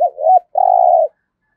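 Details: A single coo phrase from a decoy spotted dove in the 'giọng thổ' voice: a wavering lead-in note, then one long, steady, resonant hoot lasting about half a second.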